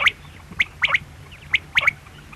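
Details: Brief run of sharp, high quail notes, single and in quick doublets, spaced less than a second apart.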